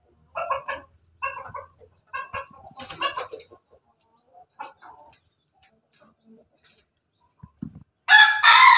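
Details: Pelung Bangkok rooster, a kept bird, recorded 17 May 2024 giving a laughing-style crow: a run of short, harmonic, staccato bursts repeated roughly once a second, fading into softer notes, then a loud harsh burst at the end.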